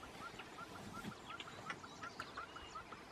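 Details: Male buff-crested bustard (Lophotis gindiana), East African dry acacia bushland, giving a steady run of short, mid-pitched whistled notes, about three per second, over hissy, rustling background; males call while stretching the neck to attract females.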